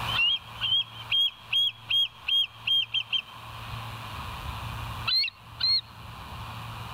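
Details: Bald eagle at West End on a live wildlife cam, 22 July 2023, 05:06; eight shrill, evenly spaced piping whistles, then a pause and two higher, squealing notes over a low constant hum.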